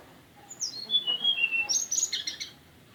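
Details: Mountain tailorbird giving a relaxed song: thin, high whistled notes stepping downward, then a rapid, buzzy, very high trill lasting about a second before fading.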